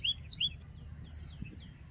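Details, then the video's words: A common tailorbird gives three sharp, high, upswept chirps in quick succession, then fainter notes, over a low background rumble. "Common Tailorbird Sound | Common Tailorbird Call | Common Tailorbird Song | Tailorbird Sound Call"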